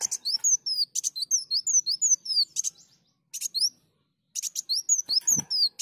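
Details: Sunbird lure song: repeated bursts of fast, piercing downslurred whistles, each phrase opened by a dry buzzy rasp. A short gap falls between phrases, and a knock sounds near the end.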